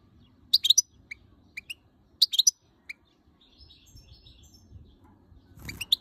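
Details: ['Female European goldfinch, annoyed by the camera, calls in bright high chirps, some doubled or tripled, then falls silent before a final cluster of sharp notes.']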